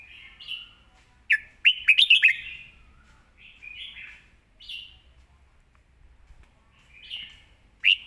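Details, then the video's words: Clear, fast-delivered song of a red-whiskered bulbul: short warbles spaced through the clip, with a loud cluster of four or five ringing whistled notes around the middle and a sharp note at the end. "สำนวนดี"เดินเพลงชัด ปากไวเสียงชัด"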